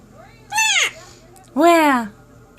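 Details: An adopted male pet Quaker (monk) parrot speaks two quick, voice-like syllables, each about half a second, arching up then down in pitch, with a short pause between them in a quiet room.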